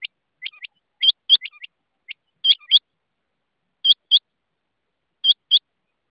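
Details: Rain quail calling in crisp two-note bursts, several quick pairs at first, then spaced pairs every second or so, with quieter single notes in between; background silent.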